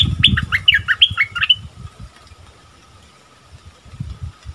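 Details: Bulbul singing in the 'double' song style, recorded 24 February 2021. A short burst of clear whistled notes falls in pitch in quick succession, then stops. Low rumbling noise is heard before and after the phrase.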